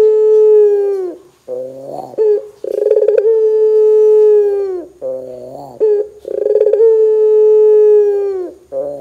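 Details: Barbary dove in loud calling, aimed at prompting other doves to call: long level coos falling at their ends, alternating with lower, nasal buzzing phrases and brief rolled notes, three cycles in all.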